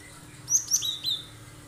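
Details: Gelatik batu, the Cinereous tit, in a brief, soft run of three to four thin, very high whistled notes, part of sharp 'tembakan' song used to lure other birds to sing along; low hum beneath.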